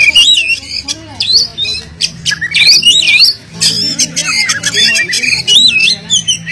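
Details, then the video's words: Caged oriental magpie-robin singing a full song packed with mimicked fillers, loud and insistent, used to get silent magpie-robins singing: rapid varied whistles, trills and sweeping notes, sharp high chips between phrases, with a low background hum. "kacer full isian,gacor ngotot cocok buat mancing kacer bisu"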